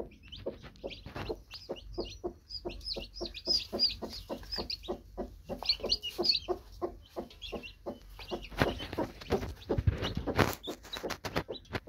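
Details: Newly hatched chicks with their broody hen: a steady run of short low clucks, about three per second, under a chorus of high, slightly downslurred chick peeps. Louder rustling follows near the end.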